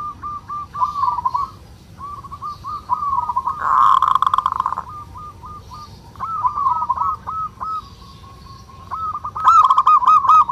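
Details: Male local zebra dove singing its ngerot (kerot) style song, used as a lure to raise breeding urge in other doves: rapid, rolling, repeated cooing trills at a steady pitch in long runs, with a loud, harsh rattling burst midway.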